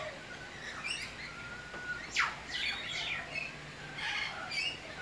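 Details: Eastern whipbird (Psophodes olivaceus), one of a pair visiting daily for breakfast, 30 December 2016, calling on lookout while the other feeds: harsh, scratchy squawks and short chirps in irregular bursts, with a faint thin whistle.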